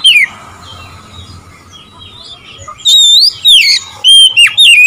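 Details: Oriental magpie-robin singing to provoke rival birds: after a quiet start, loud clear whistled phrases with sweeping rising and falling notes and short sharp bursts, delivered in quick uneven bursts.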